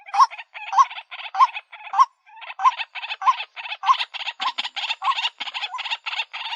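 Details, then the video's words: Lure call of a white-breasted waterhen, a rapid series of grating, buzzy bursts with a brief upward-sliding tone inside each, about 98 per minute, becoming denser and harsher toward the end. "SUARA PIKAT BURUNG RUAK-RUAK"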